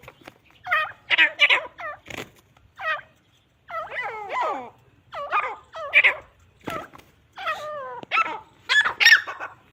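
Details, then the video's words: Grey francolins fighting, a busy run of harsh, rasping notes and squeals with curving harmonics, bursts grouped in twos and threes, with occasional sharp clicks. "teetar ki ladai|irani teetar ki ladai/larai|Grey francolin sound |teetar fight|"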